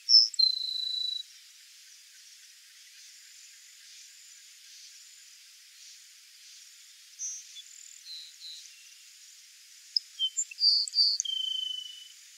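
Grassland Sparrow singing thin, high introductory notes that slide into a dry, buzzy trill. The phrase repeats after a long pause over a faint, steady insect hum.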